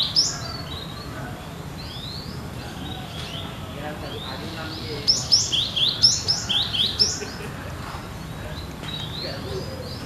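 Cinereous tit singing a quick run of bright, repeated high two-note phrases, with scattered thin chirps and a soft background hiss.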